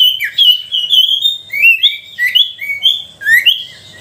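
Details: Sooty-headed bulbul in lively lure song for coaxing silent bulbuls: a continuous flow of rich, slurred whistled notes, rising and falling, closely spaced with no pauses.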